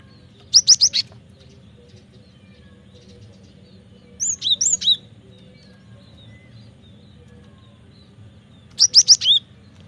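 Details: Cinereous tit (gelatik batu) song used to lure and train birds: three short bursts of four fast, high, upswept whistles, spaced about four seconds apart, with quiet low-frequency hum between.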